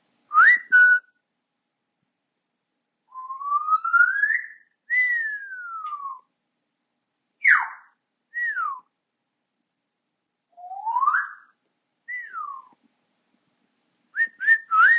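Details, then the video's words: Captive African grey parrot whistling away at home, giving a varied series of pure whistles: slow rising slides, long falling glides, quick downslurs and short clipped notes spaced by pauses. "My African Grey Parrot Whistling Away"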